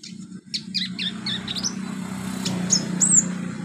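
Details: Olive-backed sunbird song from a training track for beginner birds: a few high, slurred chirps followed by thin sharp whistled notes, over a constant low droning hum.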